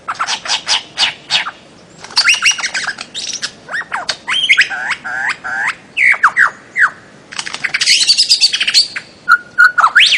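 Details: Bird-of-paradise in Papua and the Aru Islands, Maluku: series of loud harsh squawks and clicks, then quick downward-swooping nasal notes in rapid runs, ending with scratchy bursts and a short flat whistle.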